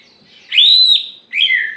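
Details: Aceh white-rumped shama singing with its tail open: one long, pure, arching whistle, followed after a short pause by a brighter note that slides downward.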